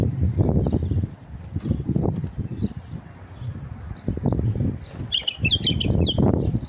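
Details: Male white-eared bulbul sings to attract wild birds, with one short phrase of fast, high whistled notes late on, heard among heavy low rumbling and thudding noise.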